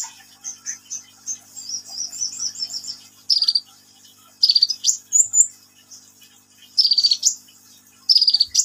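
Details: Sunbird, locally kolibri ninja, opening with a soft run of high chips, then loud buzzy trilled bursts of about half a second repeated every one to two seconds.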